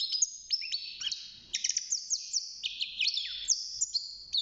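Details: Six-month-old European goldfinch kept in a cage, just beginning to sing: rapid high twitters and sliding whistled notes run together in a continuous chattering phrase with a brief dip after the first second.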